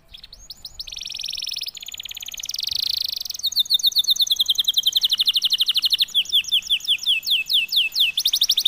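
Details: {'caption': 'Silver salju canary singing in breeding excitement: a fast run of high buzzy phrases, then a long series of rapid rhythmic repeated notes, rising and falling sweeps, loud and bright throughout.'}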